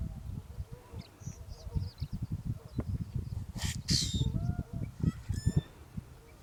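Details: A Common Grackle answers its mate's calling while busy searching for food: short harsh squeaky notes and a loud buzzy rasping burst, over steady low rumbling background noise.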